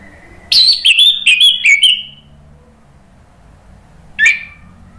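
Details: Orange-headed thrush song played to stimulate other birds to reply and as therapy for birds that stopped singing. A rich phrase of four stepping, slightly falling whistles lasting over a second, then silence and one short sharp note.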